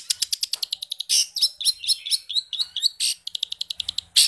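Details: Long-tailed shrike in full, lively song packed with mimicked phrases of many forest birds, offered as training material for shrikes reluctant to sing. It opens with a fast series of sharp high chirps, then shifts into varied slurred whistles and harsh bursts.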